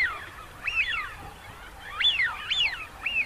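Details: Wigeon calling repeatedly: several birds give loud, clear whistles, each rising steeply then sliding down, in quick overlapping bursts throughout.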